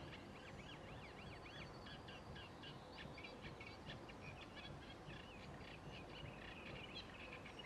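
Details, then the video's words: Eurasian reed warbler singing in spring among still-short reeds by Sculcoates Lane, Hull: a continuous high, scratchy chattering of repeated notes and short phrases, against a loud steady traffic rumble. "Singing Reed Warbler"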